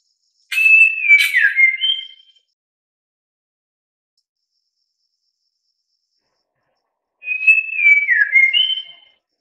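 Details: White-rumped shama singing: two matching phrases about five seconds apart, each of clear whistled notes that slide downward, then end on a higher sustained whistle, with sharp broadband clicks at the start, in otherwise silent surroundings.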